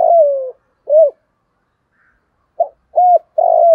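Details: Decoy spotted dove calling to lure other doves: a long descending coo and a short rounded coo, a quiet pause, then another phrase opens with two short coos and a long level coo.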